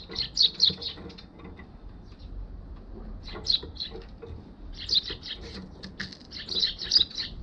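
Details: Eurasian tree sparrows flying in to a balcony, recorded on a GoPro HERO6 on 1 December 2021; clustered bursts of sharp, high chirps in quick chattering groups separated by short pauses, with light wing flutter.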